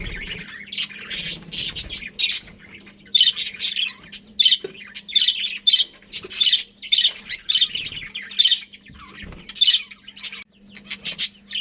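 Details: Budgerigars kept as a colony, chattering continuously: overlapping high, harsh chirps and squawks in irregular bursts, some louder scratchy notes, over a low steady hum and occasional faint thumps.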